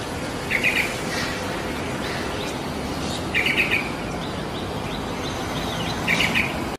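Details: Yellow-vented bulbul in the wild, giving brief gurgling warbled phrases repeated roughly every three seconds, three bursts in all, with faint softer chirps between them and constant broadband environmental hiss.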